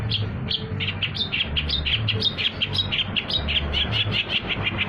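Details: Long-tailed shrike song used as a trapping lure: long steady string of scratchy chattering notes, roughly four per second, some topped by brief higher squeaks, over faint low hum.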